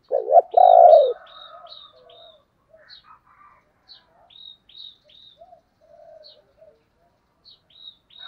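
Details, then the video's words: Spotted dove used as a decoy, calling. One loud, low, throaty coo opens the clip. Fainter low notes follow, with thin high chirps from small birds scattered throughout. "Tiếng chim cu gáy mồi gáy gọi"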